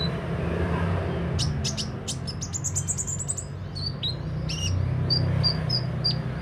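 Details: Sunbird in full song, beak open: clusters of sharp high ticks, then a rapid trill of thin notes and spaced bright chirps, about two hundred notes a minute, against a constant low rumble.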